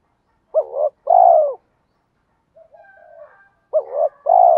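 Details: Spotted dove calls, cock and hen, used to stir trained doves into cooing. Two paired phrases, each a brief wavering note leading into a long mellow coo, separated by a quiet stretch with faint soft murmurs.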